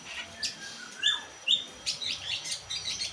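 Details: Oriental magpie-robin in a black-and-white form giving a short excerpt of a few clear whistled notes and buzzy chirps, loosely spaced and somewhat faint.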